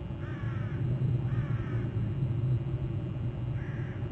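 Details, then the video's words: On Hornby Island, July 31, an eagle at its nest territory gives three clear, slightly wavering high calls, two close together then one after a pause, above a heavy low droning hum. "July31 541 more trills; eagle hops to another branch and then behind bst"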